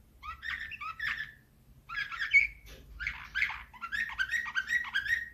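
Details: Canary in Slavujar style, 2024, giving clusters of warbled, twittering notes separated by short breaks, ending in a quick run of rising chirps; low background hum.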